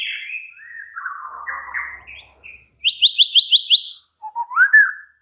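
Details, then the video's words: Worked-up white-rumped shama in an agitated burst meant to rouse rival shamas: falling warbled whistles, then a quick series of six sharp high notes, ending in a clear rising whistle. "Murai batu langsung EMOSI TERPIKAT suara murai batu ngamuk AKTIF ini"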